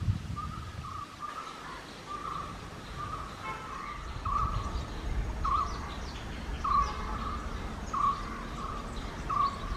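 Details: Pair of Indian grey hornbills calling: short squealing notes repeated about every second, steady in pitch, over a soft background hiss.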